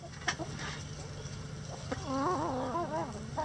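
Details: Rooster crowing in a sunny backyard coop of mixed egg-laying chickens; a drawn-out, wavering, harmonic crow begins after about two seconds, preceded by a few short clucks over a steady low hum.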